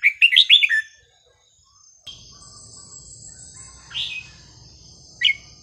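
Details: Red-whiskered bulbul song played to tutor young birds: a rapid cluster of bright warbled notes at the start, then a pause, low rumbling noise and two isolated short whistled notes.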